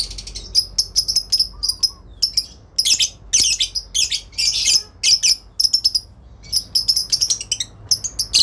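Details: Female lovebird giving long ngekek chatter, answering and calling to a rival; sharp, piercing high chirps fired in fast irregular bursts, some merging into brief harsh trills, separated by short pauses.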